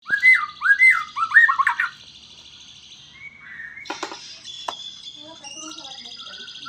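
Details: White-rumped shama singing a burst of loud, rich whistled phrases, with repeated rising and falling notes over the first two seconds, followed by quieter, fainter chirps and buzzy notes.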